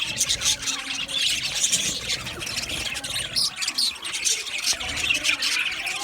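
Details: Flock of male budgies recorded 8 December 2025 giving continuous shrill chattering and squawking, dense overlapping voices with short louder bursts throughout.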